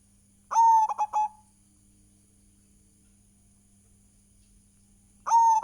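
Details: Zebra dove (perkutut), local Indonesian bird, in full lure song. A cooing phrase of one long note and three quick bursts, then a pause of nearly five seconds before the next phrase begins.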